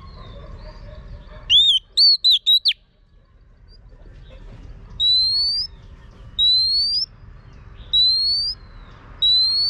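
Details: Female Oriental magpie-robin urging on a male: a quick cluster of five whistled notes, then four long, thin upward-sliding whistles repeated roughly every one and a half seconds.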